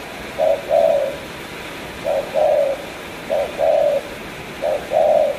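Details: Four short-long coo phrases from a spotted dove from Cà Mau, each a quick low note then a longer mellow coo, spaced over a second apart.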